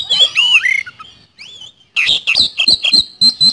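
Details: Oriental magpie-robin (kacer) in full song, a lure recording of a rapid speed-roll style: looping slurred whistles, then a fast run of sharp, buzzy chattering notes, about three per second.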